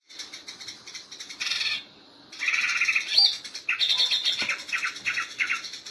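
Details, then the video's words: Greater green leafbird, kept for contest training, singing a varied mix of bright chirps and trills with a short pause before resuming with rapid high phrases. "Cara melatih Cucak hijau gacor ngentrok untuk kontes"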